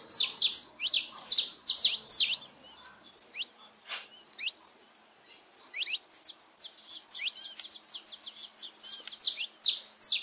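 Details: Saffron finch song used to excite caged birds into singing: loud bursts of high chirps at the start and end, with thinner rising and falling notes between, some quieter background chirping.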